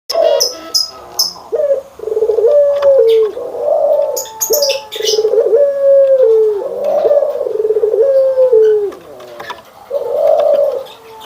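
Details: Barbary doves, white and brown birds compared, giving the anggungan coo: low, rolling coos that dip and rise, repeated in a steady series with short gaps, with faint chirps from other birds early on.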